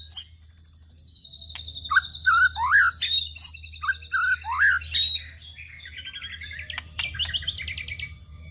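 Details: Lure song of a white-rumped shama: a long high whistle, then swooping looped phrases and sharp accents, ending in rapid chattering trills, with a low droning hum beneath.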